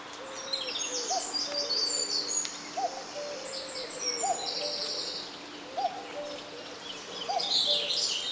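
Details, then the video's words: On 25 April, one spring morning in the UK, the first common cuckoo of spring is heard on a walk: a soft, falling two-note 'cu-coo' about every one and a half seconds, under brighter twittering from other birds and a faint steady hum. "i'm just walking along here and i've just heard the first cuckoo"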